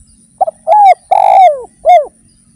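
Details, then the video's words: Spotted dove (derkuku) sings one clear phrase meant to spur other doves to sing: short double stutter, then three descending mellow coos, the middle one longest and harsh, against near silence. "PANCINGAN BURUNG DERKUKU GACOR"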